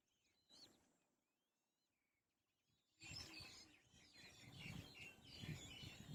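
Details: White-tailed kite (Elanus leucurus) chicks begging and quarrelling over food: a few thin, wavering whistles, then a burst of harsh, raspy screeches over heavy rustling and scuffling.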